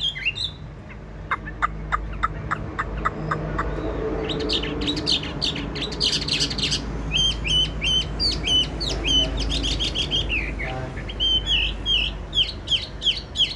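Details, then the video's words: Tame captive Chinese hwamei, yellow-legged and yellow-billed, known for a strong voice; dry clicking notes open the passage, followed by dense bursts of loud whistled phrases and rapid repeated slurred notes. "Chim thuần bộ to giọng hay, chân vàng mỏ vàng"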